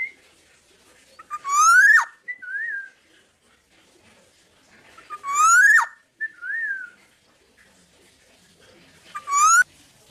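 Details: Tame, uncaged black-naped oriole singing: a loud phrase that rises into a rich fluty whistle, then a short slurred whistle, repeated three times about every four seconds in a quiet room.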